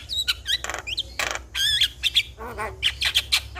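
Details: Javan myna song as a lure for a myna that will not sing: rapid mix of high squeaky whistles, rough buzzy bursts and a low nasal note, tumbling along without a steady rhythm.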